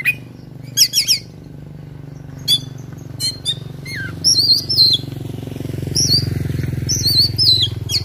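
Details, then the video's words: Fighting oriental magpie-robin with a dense, varied fill song: stacked harsh notes, a falling whistle, then an extended run of high wavering whistled phrases, over a low engine-like hum. "KACER TARUNG NGOBRA FULL ISIAN"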